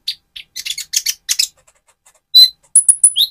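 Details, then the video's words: Van Hasselt's sunbird, trotol stage, singing as bait to provoke another sunbird. Quick series of buzzy, high chips, a pause, one loud pure whistled note, then very high thin whistles and a lower slurred note. "Burung Konin trotol gacor untuk pancingan menaikan mental emosi kolibri ninja"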